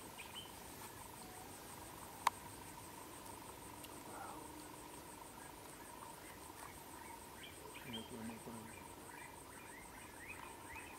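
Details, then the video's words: Yellow-fronted tinkerbird in Gambia in 2008, giving a steady, mid-pitched run of rapid tinking notes over a high, pulsing chorus of crickets and a few faint chirps. "Yellow-Fronted Tinkerbird"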